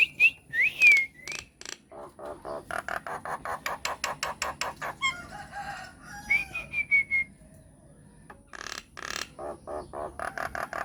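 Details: Lure song of a myna, played to draw replies from other mynas. Bright slurred whistles open and are followed by a long string of rapid, evenly spaced clicking notes, then a wavering whistle and more clipped notes.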